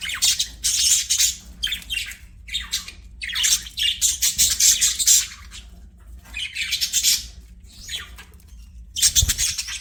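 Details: Several bursts of harsh, buzzy budgie chatter while the birds play and sing, each burst lasting a second or two with short gaps between, and a brief thump near the end.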